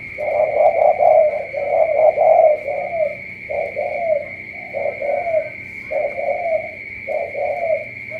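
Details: Spotted dove from Cà Mau delivering a rapid series of low coos that slows into spaced paired phrases, accompanied by a steady high electrical tone.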